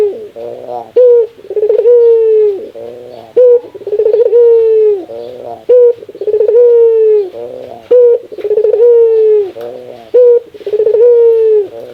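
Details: Repeated rare laughing call of a ringneck dove: brief loud clipped notes, each followed by a burst of fast chuckling pulses and a sustained mid-pitched hoot, cycling roughly every two seconds over twelve seconds.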